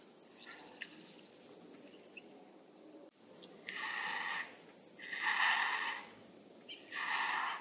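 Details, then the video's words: White-backed vultures (Gyps africanus), Kruger area, South Africa: three harsh, raspy squeals, each about a second long, in the second half, with thin high chirps from small birds throughout. "White-backed Vulture (Gyps africanus) Bird Call"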